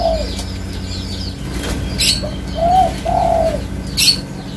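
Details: Spotted dove's low hollow coos: a fading note at the start, then a phrase of a short note and two drawn-out coos, with a few sharp clicks.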